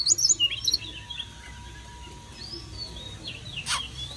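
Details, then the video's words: Kept Oriental magpie-robin singing to welcome summer: a quick burst of bright, varied high whistles and chirps, then softer scattered notes over a steady low hum and a brief click. "Chòe than uốn hót đón hè sang"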